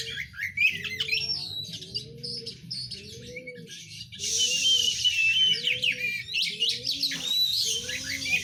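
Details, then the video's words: Kacer, the Oriental magpie-robin, delivering a lively run of sharp chirps and slurred whistles that grows louder and richer midway, over a steady low droning pulse repeating about every second. "Burung Kacer"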